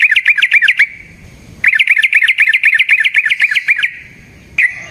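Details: A rolling, fighting-style song of the yellow-vented bulbul, used as a lure to draw answers from other bulbuls: quick repeated chattering notes in two runs, then a brief final burst.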